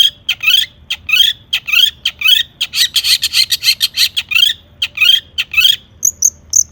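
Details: Excited full-material song of a Long-tailed shrike, played to draw other shrikes into song: regular rasping, buzzy notes about three per second, a brief dense chattering flurry midway, and sharp high whistles at the end.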